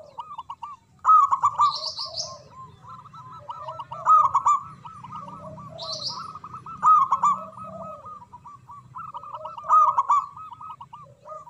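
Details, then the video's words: Local zebra dove singing from a perch with a strong voice: long rolling coo phrases running almost continuously, louder bursts every few seconds, low purring notes underneath, and high scratchy chirps from another bird about every four seconds. "Perkutut Lokal Gacor Suara Besar Manggung"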